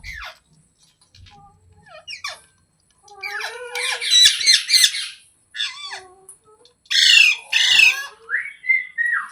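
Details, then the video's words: Green parrot indoors in a small room giving a varied run of squeaky rising whistles, harsh buzzy squawk bursts and short chattering notes, with brief silent gaps between phrases. "Green Parrot Sounds Videos | Funny Parrot Sounds"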